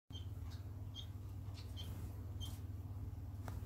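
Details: Society finch at bedtime on 19 December 2019, giving short, high, thin chirps, spaced irregularly about a second apart, over a steady low electrical hum.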